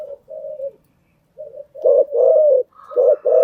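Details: A lure spotted dove coos for training new birds: soft low notes, a pause, then loud clipped notes and a long mellow coo, ending with further strong coos.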